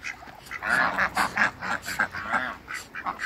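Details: Swan geese (African geese, three pairs) meeting call ducks and Muscovy ducks on a farm give loud, nasal, overlapping honks in quick succession, about three per second, with the other waterfowl likely calling nearby.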